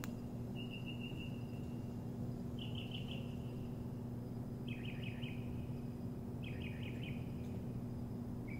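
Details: Bird singing in the morning: short phrases of three or four quick stuttered notes that run into a level whistled tail, repeated roughly every two seconds, over a constant low hum.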